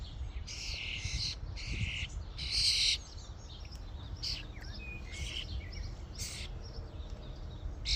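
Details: Starling flock at a feeding station: a run of harsh, noisy bursts early on, then scattered short chirps and squeaky notes from several birds, over steady low rumble.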